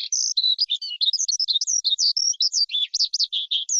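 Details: Skylark singing a fast, varied warble of high twittering notes and short buzzy trills run closely together, with no background noise.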